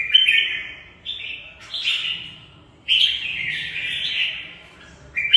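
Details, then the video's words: Red-whiskered bulbul, a Mộc bộ bird kept in a cage, singing its fighting song: clear warbling phrases with sharp onsets, separated by fading gaps of about a second, no other sounds. "chào mào Mộc bộ vip đấu tốt"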